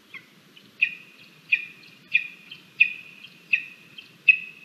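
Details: Lesser spotted eagle chick at its Latvian nest at feeding time, 17 August 2022, grumpy as the mother delivers frogs and a vole; steady string of high piercing squeals roughly every 0.7 seconds over faint low background rumble.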